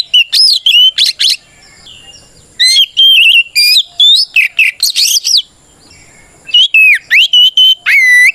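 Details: Oriental magpie-robin in energetic 'ngeplong' fighting song to provoke other birds: three dense bursts of rapid chirps and whistled slurs, each a few seconds long, with quiet gaps between.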